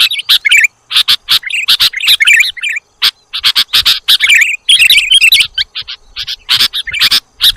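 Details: Sooty-headed bulbul lure audio with a busy stream of bubbly chirps and sharp tick notes, nearly continuous and with few gaps.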